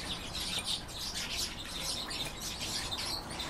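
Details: Song of a goldfinch and canary hybrid: dense, continuous high twittering made of quick chirps and short trill bursts, steady in loudness over a noisy background.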